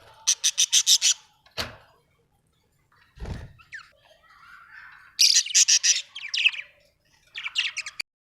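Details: Budgerigar chirping: rapid runs of bright, buzzy, stacked chirps in short bursts separated by brief pauses, with a couple of dull thuds and a faint, soft warble in the quieter gaps.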